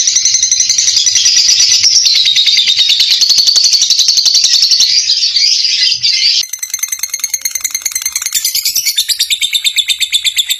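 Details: Lovebird chattering a long ngekek while turning, a lure to get other lovebirds singing; a continuous buzzy high chatter, then a shift after six seconds to clearer pulsed chirps with whistled overtones.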